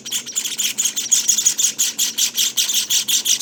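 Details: Java finch young at day 19 utter thin, sibilant chirps in a fast, slightly uneven series, close to three bursts a second, with a faint whistled tone running through some.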